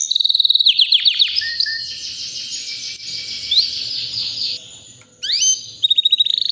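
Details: Non-stop song of a white canary about three years old: quick sweeping notes opening into a long high sustained trill, a short pause, then fresh rapid downslurred notes and pulsed trills.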